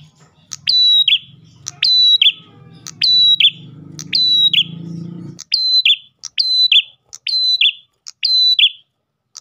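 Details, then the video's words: Ash tailorbird singing to attract other tailorbirds: nine evenly spaced phrases of a sharp tick, level high whistle and dropping second note; a low rumbling hum fills the first half, then stops. "PRENJAK GACOR pancingan burung prenjak lain"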